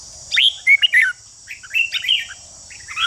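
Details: Red-whiskered bulbul, sung to stir other bulbuls into competitive singing: lively whistled phrases with swooping and warbling notes in three bursts, over a faint continuous high hiss.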